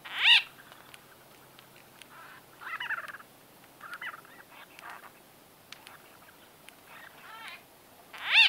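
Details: Bee-eaters (white-fronted) talking at close range: a loud ringing nasal call begins and ends the passage, with quieter, burry, gurgling calls scattered in between.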